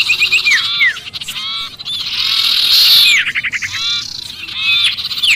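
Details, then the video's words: Sirpu crying in distress as though stuck, to draw in other birds: loud buzzy trilled chatter with repeated steeply descending whistled notes, intensity swelling in the middle. "suara pikat sirpu Ribut kejepit"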